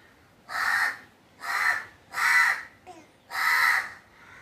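A crow gives four harsh, hoarse caws, each about half a second long and spaced roughly a second apart, with a faint click between the third and fourth.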